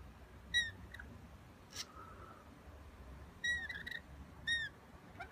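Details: Wild rainbow lorikeets peer in at a window, asking for food and passing over what was left on the sill in hope of nectar mix; short bright chirps with ringing overtones come in three separate bursts over quiet background hiss.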